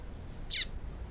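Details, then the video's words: One clear, buzzy, high chirp with a softer falling tail below it, from a female papa-capim, or yellow-bellied seedeater, whose calling is meant to set males singing. "PIADO DE FÊMEA DE PAPA CAPIM PARA ESQUENTAR E DEIXAR SEU PAPA CAPIM CANTANDO MUITO !"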